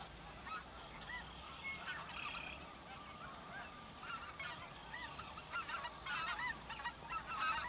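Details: Spring migration flock of snow geese, mixed with Ross's geese and other waterfowl, feeding and resting on Dakota prairie; distinct nasal honks overlap in irregular bursts, loudening toward the end over a steady background murmur.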